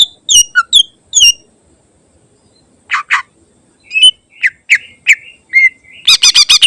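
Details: Captive greater green leafbird singing a varied, mimic-filled song for tutoring other birds: sharp chirps, then down-slurred burry notes and bright whistles, ending in a fast rattling burst of repeated notes.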